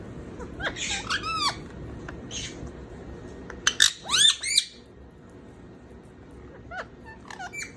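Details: Indian ringneck parakeet around lunch time gives scattered squawks and chirps: some early sweeping notes, then a loud cluster of harsh downward-curving squawks near the middle, and a few thin chirps toward the end, indoors.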